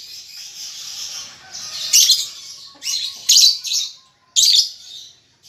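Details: Juvenile lovebird practising its chatter, a steady soft twitter building into loud, scratchy high chirps, four main bursts spaced about a second apart.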